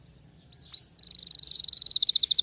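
A canary opens with two quick rising whistles, then breaks into a rapid, high, buzzy trill that slows into a steady run of clear repeated notes.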